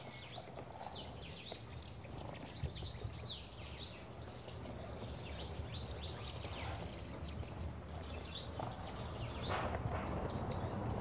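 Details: A lively group of Bananaquits at a feeder keeps up a dense, continuous chatter of high, thin, downward-sweeping chips and twitters, many birds overlapping, over steady low background noise.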